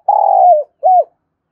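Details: Fragment of a decoy spotted dove's lure call: a long rough coo sliding down at its end, then a single short arched coo, with nothing else audible.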